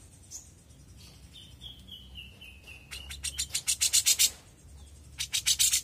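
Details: Young grey-cheeked bulbul: a soft, descending drawn-out whistle, then loud bursts of rapid, buzzy rasping notes separated by a short pause.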